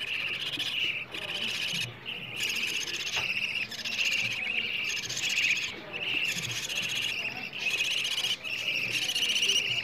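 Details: Hungry budgerigar chicks calling for food, played to prompt adult budgies to mate and lay eggs: grating, buzzy begging in steady bursts roughly every second, separated by brief silences.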